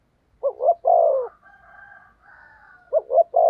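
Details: Spotted dove used as a lure for wild doves. It gives a double-note and long-coo phrase, then faint higher drawn tones, and a new phrase begins.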